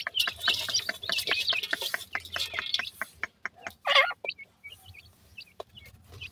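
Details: Francolin (teetar) chicks: after a burst of rapid clicks and scraping, thin high chirps and brief rising peeps sound in scattered ones and twos.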